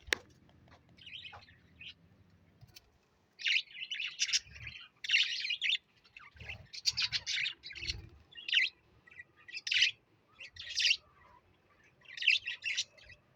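A parrot chatters in quick bursts of high, scratchy chirps and warbles.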